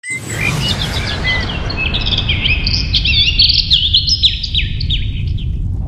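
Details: Young cockatiel giving the repeated "uh uh uh" baby call, quick chirpy warbling notes over a low steady rumble; owner wondered if it was sick, told it is normal juvenile voice, likely begging for food.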